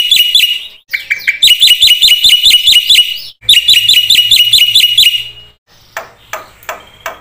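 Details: Black-winged myna singing a lure song to encourage silent mynas. Loud, rapid chattering notes in quick bursts separated by short pauses, fading into softer scattered calls at the end.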